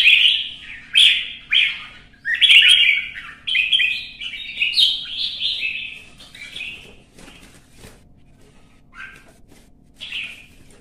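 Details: Caged red-whiskered bulbul in a competitive singing bout, giving rapid chirpy warbled notes in a burst of phrases over the first seven seconds, then fading to a few scattered sharp notes near the end.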